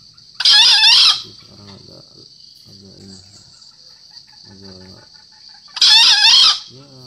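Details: A four-month-old green junglefowl gives two short, hoarse, rasping crows about five seconds apart, over a steady high insect-like hum and soft low clucking sounds.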